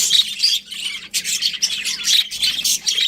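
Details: Budgies chirping in quick scratchy phrases with a short lull near the middle, then busy overlapping chatter with whistled notes.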